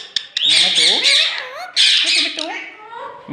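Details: Green Indian ringneck parrot talking, saying 'main mithu' in Urdu/Hindi: two loud bursts of raspy, harmonic, speech-like phrases with squawky overtones, then softer warbling, gliding notes toward the end.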